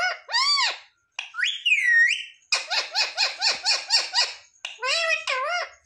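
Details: House parrot, known as mithu, copying words like "mummy papa": arched whistled syllables, a long rising-falling whistle, then a rapid string of about eight pulsed, speech-like syllables and a closing wavy phrase.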